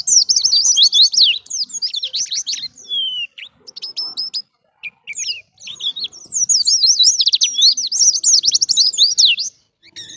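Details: Indonesian white-eye in energetic wild-type ngalas song, used to draw in and train other white-eyes: long, dense bursts of high, rapid twittering and zigzag trills, broken by a brief quiet gap midway.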